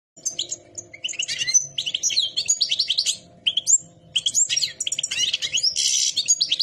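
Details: European goldfinches singing: a fast, tinkling jumble of high twittering notes, liquid trills and buzzy bursts, almost continuous with short pauses.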